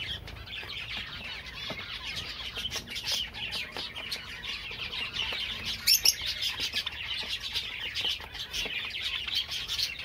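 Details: Java sparrows singing in a dense, continuous chatter of high twittering and bell-like notes, broken by frequent sharp clicks and a few louder chirps near the six-second mark.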